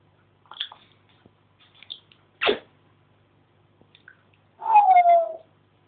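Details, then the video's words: Pet African grey parrot doing all sorts of noises indoors: small chattered sounds, a sharp loud burst, then a long whistled tone sliding gently downward. "the african grey chatting away again"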